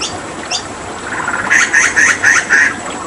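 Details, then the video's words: Hooded butcherbird from Papua, a skilled mimic, given water therapy; a brief sequence of five harsh, chattering bursts repeated in quick succession over a faint hiss. "Masteran Tembakan JAGAL PAPUA gacor"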